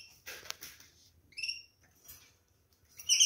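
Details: A canary (Serinus canaria) gives short, high, bright chirps and a brief scratchy twittering burst, the notes spaced irregularly with quiet gaps between them.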